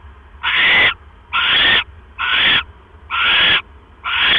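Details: Owl nest at night, October 12, 2015, 9:40 PM, during a mouse delivery; five loud, scratchy hissing screeches, each near half a second, spaced about a second apart over a low steady hum.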